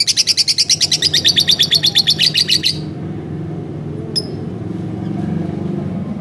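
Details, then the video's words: Lovebird kept as a house bird, giving a rapid burst of bright, high, repeated chirps for about three seconds before falling silent. One lone chirp follows, over a steady low indoor hum. "masteran bukan tapi burung lovebird rumahan"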